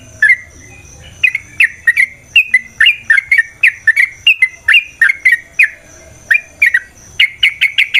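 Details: Yellow-vented bulbul in fighting song meant to provoke a combative reply: steady short, sharp downslurred chirps, several per second, closing with a quick rattling trill.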